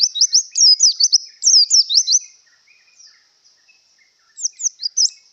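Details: High, sweet, rapid twittering from a white-eye in breeding condition. A dense two-second phrase of quick rising and falling notes is followed by a quiet gap and a short closing burst of chirps.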